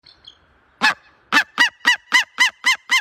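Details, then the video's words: Eagle giving a faint opening note, then a run of loud harsh barking notes, seven of them, speeding to about four per second after a short pause. "10 weird eagle sounds"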